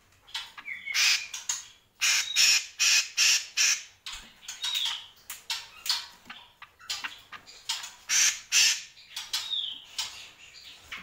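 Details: Greater green leafbird chattering in fast series of harsh rasping notes, grouped in runs of four or five, with occasional slurred whistles between runs.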